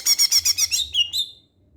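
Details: Greater green leafbird singing as a lure for other leafbirds: a quick run of about six harsh, buzzy repeated notes followed by two or three clear whistled slurs that fade into quiet.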